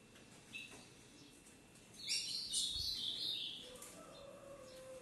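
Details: Captive harlequin-mutation ultramarine grosbeak pair from Brazil, 'sintonia padrão' song: one short chirp, then a dense, quick run of sweet, high warbled notes lasting about a second and a half, over faint background noise.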